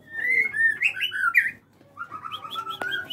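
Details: White-rumped shama in an aviary singing clear whistled phrases, a run of rich, slurred notes followed by a pause and then a quieter series of higher, repeated whistles.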